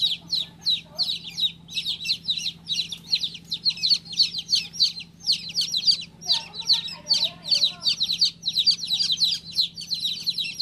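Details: Continuous high peeping of a baby chick, quick downward-slurred notes in dense bursts, one brief pause midway, and faint lower sounds underneath.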